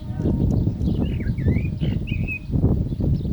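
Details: Common blackbird singing while the call to prayer is heard, fluting warbled phrases sliding up and down, partly masked by a strong low rumble of background noise.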